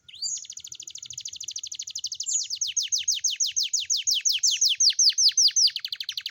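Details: Canary singing in the morning, played as a lure to encourage young canaries to sing: a sustained, rapid trill of clipped descending notes, steady in pitch, gradually swelling in volume and spacing into distinct chirps.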